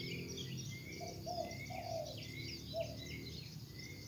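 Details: Wild spotted dove in full song: a short coo phrase of two drawn-out notes and a clipped final note, quiet and low, with high whistled calls of other birds repeating behind it over faint rumbling noise.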